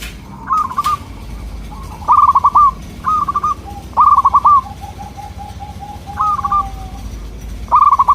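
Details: Local zebra dove song meant to make wild local doves respond. Repeated rolling, rapidly stuttered coo phrases, about six in eight seconds. A longer soft series of level coos comes midway.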